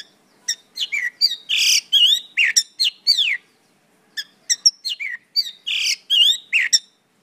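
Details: Mongolian lark song: a rich, rapid jumble of slurred whistles, trills and buzzy notes, including falling glides, delivered in two dense bursts separated by a short pause, clear against a silent background.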